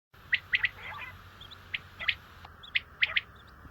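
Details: Common quail calling: sharp, clipped high notes in quick groups of two or three, phrases roughly a second apart over a steady background hiss.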